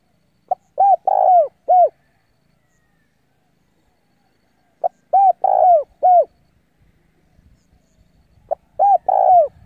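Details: Spotted dove decoy bird cooing to lure wild rivals in to fight: two phrases of a short note and three rounded coos, the middle one longest, repeated about every four seconds, then a third phrase starting at the end.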